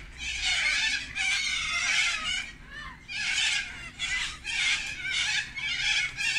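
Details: A large flock of sulphur-crested cockatoos feeding on gum blossoms in the afternoon give harsh, grating screeches in long overlapping bursts, several birds calling together with only brief pauses between outbursts.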